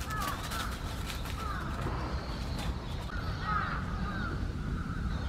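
Eastern spot-billed duck giving a few harsh, raspy quacks spread across several seconds, over a steady low rumble of water or wind.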